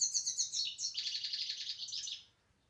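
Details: Short burst of European goldfinch song: rapid pulsed twittering that slides into a scratchy buzzing trill, then falls silent.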